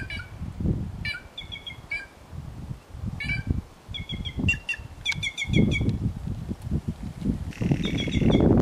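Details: Free white-naped jay calling outdoors: quick runs of short ringing notes, several fast stuttered series, ending with a longer level tone, over heavy low rumbling noise.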